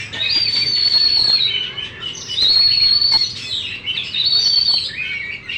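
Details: Oriental magpie-robin kept in a cage, a competition champion displaying with its tail fully spread, sings clear, ringing sustained whistles in three bursts, interspersed with scratchy chatter and quick rattling notes.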